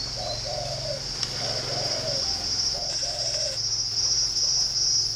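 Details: Repeated low, mellow cooing of a spotted dove kept in a dove garden in Ba Vì, Hanoi, Vietnam: three phrases, each a brief opening note then a drawn-out coo, with constant shrill cricket buzz behind.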